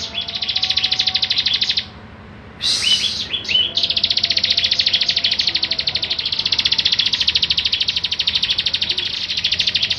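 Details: Lively Bar-winged prinia used as a song model, giving long rapid buzzy trills broken by a short gap and a few sharp chips before resuming.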